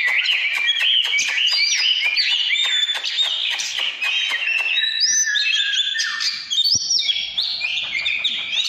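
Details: Oriental magpie-robin, 2017, in căn lửa song: rapid chattering clicks mixed with whistled phrases, then clear stepped whistles climbing and falling in the second half.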